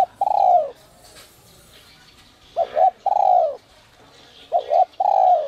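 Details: Spotted dove (cu gáy), a bird kept for its voice, in the high 'giọng còi te te' whistle style used to rouse other doves. Mellow cooing phrases: a short double note followed by a longer falling coo, repeated every couple of seconds; faint background chirps.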